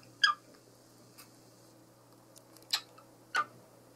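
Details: Male pet cockatiel indoors, courting his favourite toy, gives three short, bright chirps with sweeping overtones, spaced well apart in a quiet room with a low steady hum.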